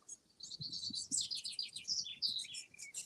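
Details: A Long-tailed Tit family with chicks hunts bugs at Talkin Tarn, a lake left from the ice age: a busy stream of thin, high, buzzy and sharp notes from several birds, with low rustling noise underneath.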